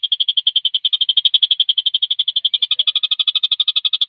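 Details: Javan kingfisher performing energetically, tight and fast, as tutor material for competition birds. A clean, unbroken rattle of sharp high notes repeats at about ten per second, evenly spaced and loud.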